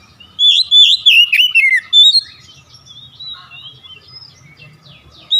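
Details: Oriental magpie-robin song meant to coax another caged bird into singing: a fast run of varied warbled whistles, then softer, thinner phrases over a faint low hum.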